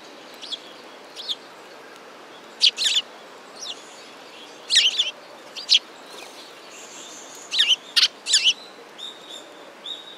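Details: Several sparrows at a Tenmangu shrine, 15 November 2016, chirping busily: bursts of high, sharp tweets, some in quick pairs and triplets, with short thin whistled notes between them, over faint background hiss.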